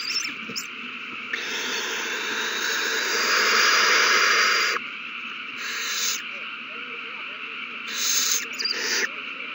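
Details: During a frenzy at the nest after a mouse is found and passed along, 3-21-20, owls give a long rasping hiss lasting over three seconds, followed by shorter hissing bursts, against a low electronic hum.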